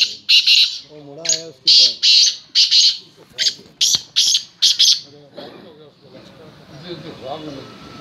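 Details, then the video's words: Black francolin giving its call: a series of harsh, grating bursts about once or twice a second, with faint murmuring and music-like sound underneath. "Kala tetar chakri | کالے تیتر کی چکری"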